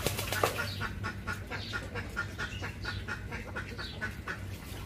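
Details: Short nasal duck quacks repeated in a quick, irregular run after an opening burst of flapping wings, with a constant low hum beneath.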